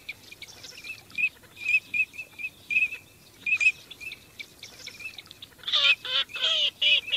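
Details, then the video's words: Migrating teal calling in a group, giving crisp high whistles in an uneven stream, which then give way to a louder burst of harsh, nasal, quacking calls near the end. "teal call migration song"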